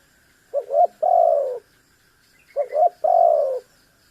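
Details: Spotted dove in full lively voice, meant to provoke an opponent: two coo phrases about two seconds apart, each a quick double note then a long, rough, gently falling coo, over a soft continuous whine.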